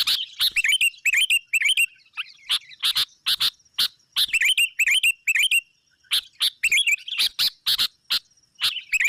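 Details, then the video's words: Sooty-headed bulbul lure calls used to attract rivals: bursts of sharp clicking chips mixed with short warbled phrases that rise and fall, in quick irregular runs with brief pauses, plus a faint steady high tone. "SUARA AMPUH PIKAT GACOR MEMANGGIL LAWAN"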